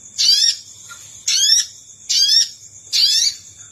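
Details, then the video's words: Wild-bird lure recording of the Sogon: four loud, raspy bursts, each a cascade of slurred downward notes, spaced under a second apart, with a faint high steady whine behind them. "Suara Pikat Burung Sogon"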